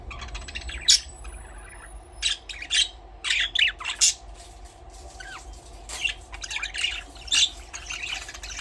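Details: Budgerigars chirping: irregular high squawky chirps and warbled notes in clusters, with brief quieter gaps and a low steady background hum.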